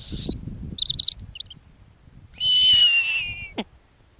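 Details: Snowy owl owlets at an Arctic nest on a warm summer night, eight young of different ages, calling as the female returns with a lemming: several thin, high, hissing screeches, the longest drawn out for almost a second, then a short sharp click.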